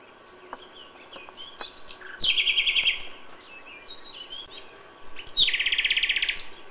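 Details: Nightingale song at dawn in May: scattered soft whistles, then two loud buzzy rattling trills of rapidly repeated notes, the second longer and more intense.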